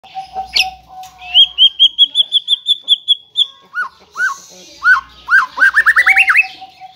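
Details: White-rumped shama in lively song: a low held whistle, then a row of about fifteen quick high whistled notes, followed by looping slurred whistles that speed into a rising chattering run.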